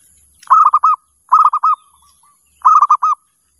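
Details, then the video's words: Calling zebra dove: three bursts of fast, purring coos, each a tight series of about five rounded notes, followed by softer trailing coos, in a quiet setting. "Suara Perkutut Pemanggil"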